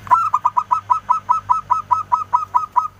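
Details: Local zebra dove singing a long run of about fourteen evenly spaced, hollow cooing notes, roughly four per second. The bird has a clear voice and is used to lure replies.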